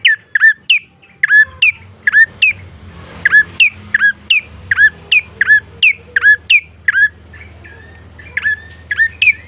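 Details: Bar-winged prinia song played as a lure so birds sing quickly: loud, crisp chirps with sharp downward hooks, in quick bursts with brief pauses, over a faint low hum.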